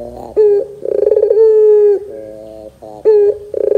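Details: Barbary dove lure for young birds: short sharp notes and pulsing trills run into a long level coo, then a soft low warbling phrase before the pattern restarts.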